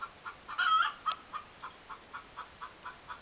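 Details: Domestic hen cackling in a yard, one loud stretched squawk early on, then a steady run of short clucks spaced about a quarter second apart.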